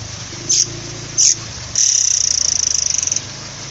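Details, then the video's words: Oriental magpie-robin (murai kopi) gives two short, very high chips, then a fast, thin, even trill lasting over a second, over a faint low hum. "Suara burung murai kopi"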